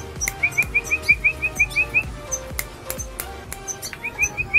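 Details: A captive red siskin being trained to hand gives a quick series of about ten bright, even chips in under two seconds, then resumes after a pause, with scattered clicks and taps behind.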